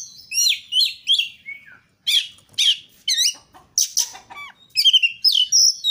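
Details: Energetic song of an Oriental magpie-robin, recorded as training material to prompt others to sing: rapid varied whistles, slurred rising and falling notes and sharp chips in quick succession, with brief pauses.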